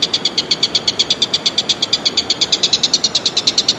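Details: Wild Common Green Magpie; a rapid, even series of sharp, high notes, about eight per second, runs steadily through the whole stretch with no break.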